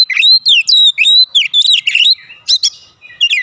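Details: Oriental magpie-robin singing to provoke other birds kept at home into answering; quick run of bright whistled slurs and chattering notes, tightly packed, with a brief harsh burst near the end.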